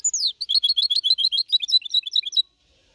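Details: Goldfinch hybrid four and a half months old, clean-singing Malaga copy song from 2021, used to motivate birds; a falling whistled note opens a rapid run of high, tinkling twitters lasting over two seconds.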